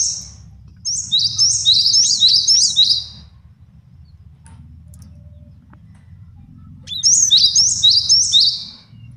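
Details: Male cinereous tit, used as a training tutor and trapping lure, delivers two long bouts of quickly repeated, high, bright two-note phrases with a clear gap of about four seconds between them.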